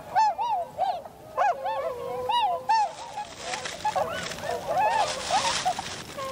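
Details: Tundra swans on 7 February 2015 in winter: clear, loud honking calls in quick pairs and triplets at first, then a rush of broadband noise, perhaps wind or wings, under continuing calls.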